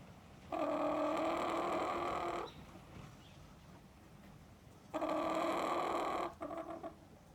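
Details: Chicken giving its lonely cry after being kept out of the house: two sustained, harmonic, wailing calls of about two seconds each, spaced roughly four seconds apart, then a brief clipped note.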